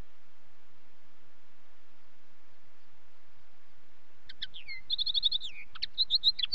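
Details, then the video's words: Linnet singing after several seconds of quiet hiss: quick twittering phrases with rapidly repeated notes and short whistles, growing louder toward the end, low background rumble throughout. "Linnet song"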